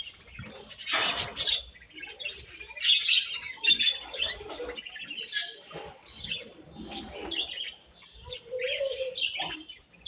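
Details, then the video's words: Feeding budgies chirp and warble; varied overlapping chirps, trills and short squawks come in bursts, with a lower nasal note near the end. "𝑪𝒖𝒕𝒆 𝑩𝒖𝒅𝒈𝒊𝒆𝒔' 𝑪𝒉𝒊𝒓𝒑𝒊𝒏𝒈 𝑺𝒐𝒖𝒏𝒅𝒔 𝑾𝒉𝒊𝒍𝒆 𝑬𝒂𝒕𝒊𝒏𝒈"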